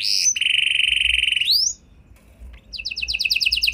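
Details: Canary song meant to draw replies from other canaries: a held steady whistle bending upward, a pause, then a short burst of quick repeated high notes.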